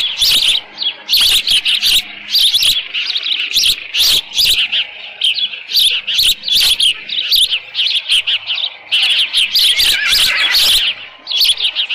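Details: Osprey at its nest with leftover fish, mid-June 2018, late morning; dense, insistent high chirping that carries on almost without pause, with frequent sharp knocks throughout.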